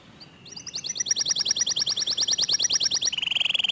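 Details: Local canary singing a fast, tight, clear trill: a high, even rattle of many notes, about eight per second, then switching to a lower, quicker buzzing trill.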